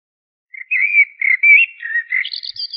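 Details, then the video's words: A single blackbird (Turdus merula) phrase: mellow, drawn-out fluted whistles sliding up and down, then a higher, scratchy twitter at the end. "تغريد طائر الشحرور جحمومية الزرياب Turdus merula"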